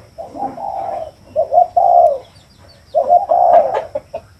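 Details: Spotted dove cooing in low, mellow phrases, each a quick pair of notes followed by a longer drawn-out coo. The phrases repeat closely, with a quiet background.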